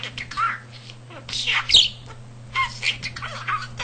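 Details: Budgerigar kept as a house pet, talker of almost 300 words and sentences learned by ear, also imitating cat purrs; harsh squawked syllables and warbled, speech-like phrases in bursts, with a constant low hum in the room.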